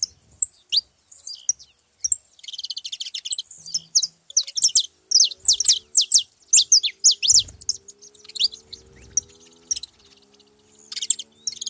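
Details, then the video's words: Saffron finch gathering with busy overlapping song: buzzy trills and quick slurred chirps in long bursts, plus faint low hum and occasional thumps. "festa dos canário da terra na seva"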